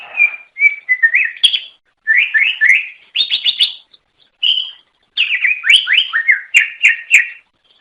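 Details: Cucak ijo (greater green leafbird), an Indonesian songbird, singing at length to attract others of its kind; varied phrases of rising slurred whistles, rapid stacked notes and trills broken by brief pauses.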